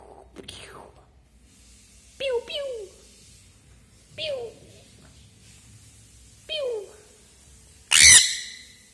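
A young sun conure gives short, falling 'peww' chirps, then one loud, harsh screech.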